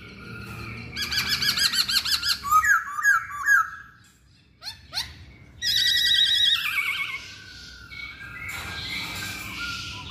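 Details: Masked laughingthrush song: rapid chattering runs and a few whistled notes, then a harsh, rushing burst of sound over steady background hiss.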